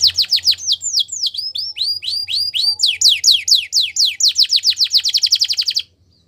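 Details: Belgian canary song used in training: a long varied run of falling and rising whistled notes that speeds up into a rapid bright trill before stopping abruptly.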